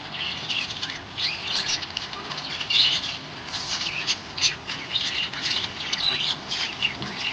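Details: Happy pet budgerigars chirping: a dense, continuous chatter of high scratchy warbles and squeaky chirps from several birds at once, busy and unbroken throughout, with some soft low background noise.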